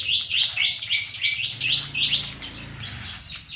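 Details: Caged plain-throated sunbird (kolibri kelapa) from Subang, Indonesia, singing in full ngobra style: a rapid run of high, buzzy, rising chirps, about three to four per second, which then fade into softer, scattered notes.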